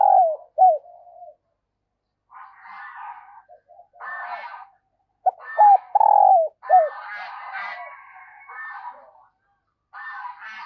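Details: Calling female dove used to stimulate males: repeated low hooked coos and a long falling coo, interrupted by harsher, noisier bursts of another bird calling between the phrases.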